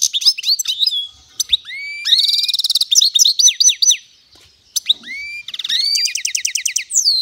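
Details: Goldfinch and canary hybrid singing a varied, energetic song of quick rising slurs, dense buzzy trills and sweeping whistled notes, delivered in loud bursts separated by brief gaps.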